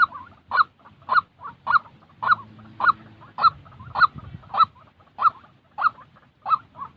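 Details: Waterhen sound used to train decoy birds for trapping: loud rasping notes repeated rhythmically, each followed by a softer echoing grunt, with a short low humming passage in the middle.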